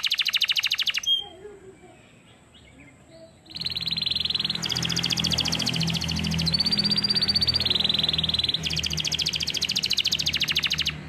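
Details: Canary song-training recording: a high rapid trill, a quiet pause, then sustained rolling trills at changing pitches over a low steady hum in the background.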